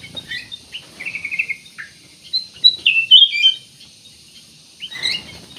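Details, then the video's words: Black-naped oriole in vigorous song, a lure to spark singing in other birds: rapid chirps and a buzzy trill, then a dense loud cluster of high whistled notes, ending with a short sharp call. "CUCAK EMAS \ KUTILANG EMAS GACOR, BUAT PANCINGAN"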